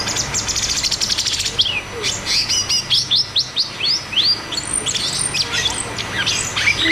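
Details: Cucak cungkok song in the 'ngeroll tembak' style, played as a lure to make silent caged birds sing: a continuous stream of sharp, high rising whistles and chirps, delivered in quick bursts several times a second.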